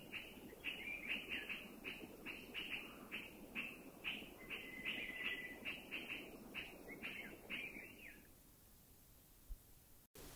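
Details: Warning call of a Puff-throated Bulbul, forest sentinel of Thailand alerting to any person or danger: a long run of harsh, rasping chattered notes, about two per second, for eight seconds before fading into quiet forest ambience.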